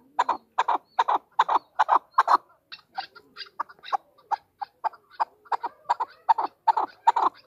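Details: Female chukar partridge giving a long series of loud, raspy chuck notes in bursts, easing to lighter clucks midway and building again toward the end.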